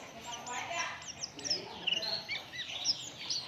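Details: Lure song of an Oriental white-eye meant to set other birds singing: a quick run of thin, high, downslurred and upslurred whistles, sharp and tightly spaced, over faint low background sound.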